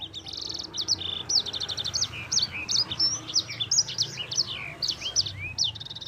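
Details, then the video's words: Yellow-fronted canary (sanger) in vigorous, extended song meant as a tutor: opens with a rattling buzz, then an unbroken string of clear high whistled notes and quick slurs. "Kicauan Sanger Gacor Roll Juara"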